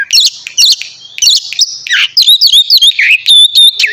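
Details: White-rumped shama singing loudly in the morning, used to provoke other shamas into singing: a rapid, varied medley of sharp chirps, warbled twists and bright whistled notes, with barely a pause between phrases.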